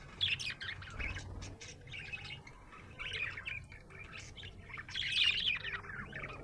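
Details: A happy budgie chatters in bursts of scratchy warbles and clicking chirps, louder around the middle and end, over a faint low background hum.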